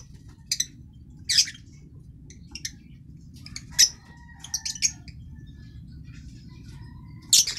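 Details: Green masked lovebird, an African lovebird, giving sharp, high squawks and short chirps at irregular intervals, with a low steady hum underneath and a faint thin whistle near the middle.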